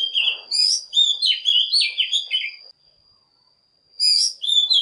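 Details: Oriental magpie-robin singing as a lure to draw wild birds and stimulate morning song: fluid, varied whistled phrases with sharp high chirps for nearly three seconds, a pause with a thin steady tone, then more phrases.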